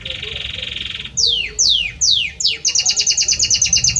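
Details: Singing to his mate, a male Belgian canary moves from a buzzy rolled trill into four long descending whistled sweeps, then a quick staccato run of repeated high notes.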